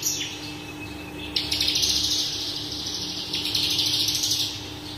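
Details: Branjangan (Horsfield's bush lark, parva) singing a lively full song: a thin descending note, then long high buzzy trills with chattering pulses, steady hum in the background.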